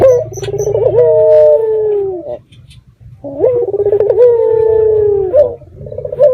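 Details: Red-eyed dove lure call to provoke answering doves: two phrases, each a purring, rolling start rising into a long, smooth coo that slowly sinks, separated by a near-silent pause.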